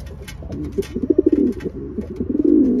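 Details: Racing pigeons being paired up, low murmuring coos with short pulsed notes and a longer falling coo near the end, indoor loft background with faint clicks.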